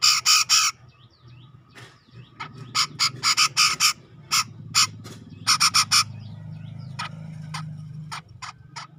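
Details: Grey-cheeked bulbul, wild-caught from tropical Sumatran forest near Medan, giving scattered bursts of harsh grating notes in short groups over a low background hum, with thinner softer calls between.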